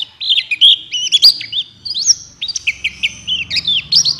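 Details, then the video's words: White-eye of the buxtoni type singing to stimulate other white-eyes: a varied series of high chirps and short trills, somewhat uneven, with a faint low hum underneath. "Pancingan Pleci Cepat buka paruh Gacor Ngalas Bukpar"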